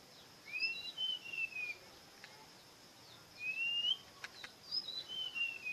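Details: Bird sings several whistled phrases: a high note then notes falling in steps, one long upward-sliding whistle, and another falling series, with brief clicks in between.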